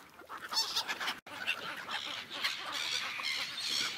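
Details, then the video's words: Many seagulls gathered on an ice lake call together in a continuous, raucous babble of overlapping squawks, broken by a brief silent gap early on before the chorus resumes at a steady level. "ASMR Seagulls sounds on ice lake"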